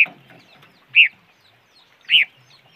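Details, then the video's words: Three strong, clear chirps spaced about a second apart from a bird named chim ngũ sắc, or noog rheeb, over a quiet background with faint clucking murmurs. "Suab noog rheeb quaj chim ngũ sắc"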